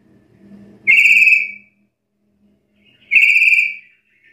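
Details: Black-capped lory, lively and challenging rivals: two long, loud, level whistles with bright overtones about two seconds apart, over a faint low hum in the background.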